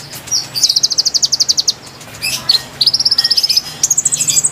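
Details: Singing konin used as a lure for wild konin: high, piercing notes in rapid regular bursts of about a second each, separated by short pauses with faint squeaky calls.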